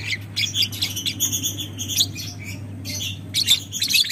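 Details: Lovebird, violet ewing gold colour form, in a long ngekek chattering trill used as a training recording: dense buzzy high chatter with a sustained harsh note midway, over constant low hum.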